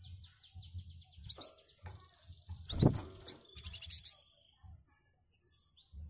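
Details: Flamboyan bird answering other birds: quick string of high, harsh downslurred notes at the start, then clicks, a loud thump and a steady high buzz, over a low background hum.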